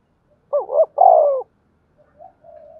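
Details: Single thổ đồng style spotted dove phrase, used to rouse newly caught doves to coo: two short rising notes, then a long falling coo. Soft distant coos follow at the end.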